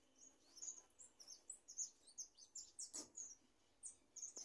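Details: A goldfinch gradually starting to sing, giving a fast run of short, high twittering chirps and trills, a few notes every half second, over faint background hiss.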